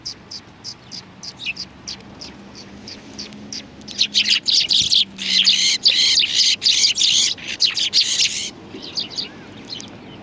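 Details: Flock of sparrows on a bench at a Japanese Tenmangu shrine, 30 January 2020: scattered chirps swell into a dense, continuous twittering chorus for several seconds, then thin out again, with a low hum underneath.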